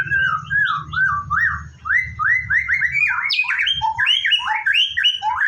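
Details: White-rumped shama (murai batu) in the morning before bathing: a long flowing series of rich whistled and slurred notes that rise and fall, accompanied by a steady low rumbling hum.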